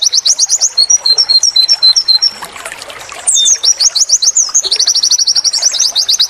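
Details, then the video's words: Training song of a white-eye in the wit wit tulit tulit style: sharp repeated high chirps, a passage of lighter twittering notes, then brisk, steady chirp runs about four per second to the end. "masteran burung pleci wit wit tulit tulit"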